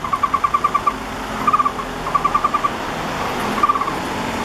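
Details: {'caption': 'Waiting at the entrance of a nest hole about 2 m high in a camphor tree beside a four-storey apartment near the National Palace Museum, a young Taiwan barbet begs for food from its parents on 28 August 2013. It repeats short, even notes in runs of up to nine, with passing road noise.'}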